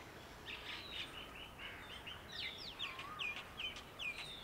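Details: A pair of wire-tailed swallows perched on an aluminium swimming-pool ladder in a Delhi garden, India, between sallies after insects over the pool; a quick run of short, bright chirps and upswept notes, with faint garden background noise.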